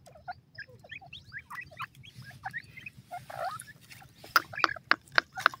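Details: Young teetar (partridge) chicks while feeding utter soft, high peeping notes at an uneven pace, followed by a burst of loud, sharp clicking taps in the final seconds, over a faint low hum.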